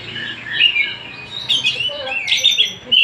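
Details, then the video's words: Oriental magpie-robin of the Tasik type singing: a loud, continuous run of varied whistled and warbled phrases, with brighter rising notes and short buzzy bursts near the end. "Kacer Tasik Muni"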